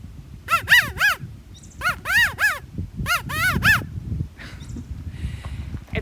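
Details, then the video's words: A California Quail, California's state bird, gives its 'chi-ca-go' call three times, each note arched and nasal, over a low background rumble and faint hiss. "so that's the call of our california state bird which we mentioned before that is our california quail"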